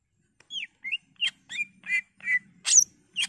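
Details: Greater green leafbird in vigorous 'gacor' singing form, used to make other leafbirds sing and fight: a fast run of clear whistled and slurred notes, some buzzy, about two per second and varying in pitch, against a faint low hum.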